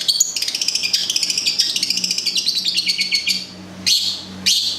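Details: Long-tailed shrike, local Gedong Songo bird from Central Java, kept as a songbird, pouring out a fast rattling series of high stacked notes, followed by two sharp rising calls.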